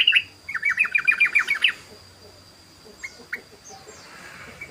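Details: Yellow-vented bulbul (trucukan) singing its rapid 'ropel' song, used as a lure: a quick run of about ten bright chirped notes over two seconds, then a few sparse chirps and a faint steady high whine.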